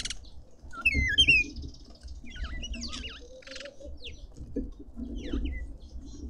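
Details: Red-winged starlings feasting at a garden feeder in suburban Pretoria, South Africa, give a few slurred whistles, some swooping up and down, with gaps between bursts and a soft low hum behind.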